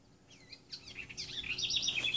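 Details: Rouxinol, apparently a male and female pair high in a tree near a wooden nest box, its song said to be the female's, heard around 5 am: a quick, high, twittering warble of slurred whistles and rapid trills, growing louder, over faint hiss.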